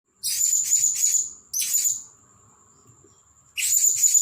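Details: Caged Blue-crowned hanging parrot, a newly bought decoy bird moved from trap to cage and set before the main decoy, giving shrill, very high chattering bursts of rapid notes over a thin steady high whine, with a two-second pause.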